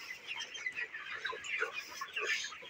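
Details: Farm-raised broiler chickens aged 29 days: many birds peeping at once, a busy layered chatter of quick high notes and soft clucks running continuously.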